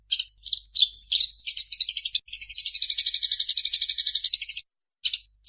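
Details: Chirps and twitters from a Eurasian tree sparrow build into a long, fast, buzzy chattering rattle of its fighting call, then break off, followed by a couple of single chirps.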